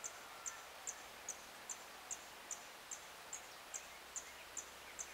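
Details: Blue-and-yellow tanager recorded at 7:13 in the morning on 26 April 2022: a steady series of very high, thin, sharp ticks, about two or three per second, over a soft background hiss.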